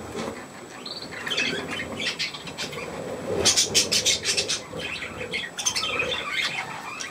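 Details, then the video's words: Young budgerigars with millet, recorded 3 May 2024, giving scattered short chirps and squawks that are bunched in the middle seconds, over a low murmur and faint wing rustling. "Hirse und die Jungen Wellis"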